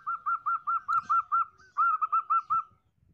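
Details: Female zebra dove calling, used to lure males: clear, evenly spaced notes repeated about five times a second in two runs, separated by a short slurred note, then quiet.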